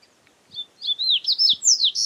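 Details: Double-collared seedeater singing, recorded live in nature: after a short pause, a rapid run of high, sweeping whistled notes that rise and fall in quick succession, growing louder toward the end.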